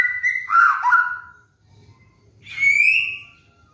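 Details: White-rumped shama (murai batu) master song for training cage birds: a loud warbled phrase with falling slurs, a pause, then one long rising-and-falling whistle.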